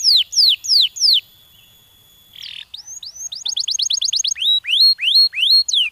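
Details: Canary's stimulating song: a few downward-swooping whistles, a pause and short buzz, then a quick run of rising chips and slower upward-sliding whistled notes.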